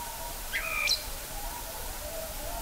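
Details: A common blackbird at Kloostri, Läänemaa, Estonia, in early March 2020 gives one short song phrase: a mellow whistled note, then a brief high squeaky flourish, faint against a steady background hiss.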